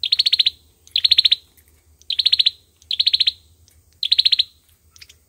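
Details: Olive-backed sunbird singing its fighting song for use as a trapping lure: five loud, shrill, rapid trills in quick succession, each a tight burst of clicking pulses, separated by short gaps.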